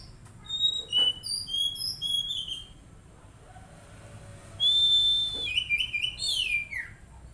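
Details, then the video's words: Oriental magpie-robin, an untrained kept bird, sings a series of short high whistles, falls quiet, then delivers a long loud steady whistle followed by descending slurred notes. "Terapi Kacer Bahan Agar Cepat Bunyi"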